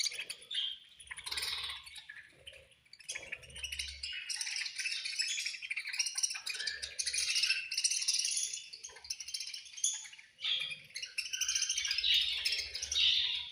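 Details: Continuous high chatter from budgies at food time, with rapid scratchy chirps and squeaky warbles running without pause, mixed with faint rattling and light low knocks.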